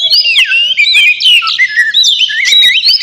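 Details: White-rumped shama singing loudly and continuously, used to provoke a rival into answering: rich, rapid whistled phrases sliding up and down, with chattering notes and sharp clicks packed densely throughout.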